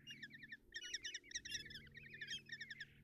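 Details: Several common kestrel nestlings in a nest box at Tiszalök, Hungary, being fed breakfast by their mother in late June; rapid wavering, warbled chitters run together in short overlapping bursts above a low mechanical hum.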